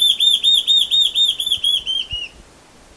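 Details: Large-tailed antshrike (borralhara-assobiadora) song: a fast series of about thirteen clear whistled notes, each arched and slurred. The series slows and drops slightly in pitch at the end, then fades. Background is quiet apart from faint low thuds.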